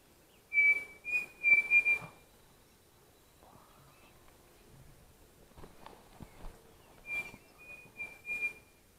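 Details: Pavonine cuckoo calling on a foggy morning in the Mato da Capela woods at Bozano, Rio Grande do Sul, Brazil: two bursts of clear, short whistled notes at mid pitch, three to four each, with clattering footsteps and rustling.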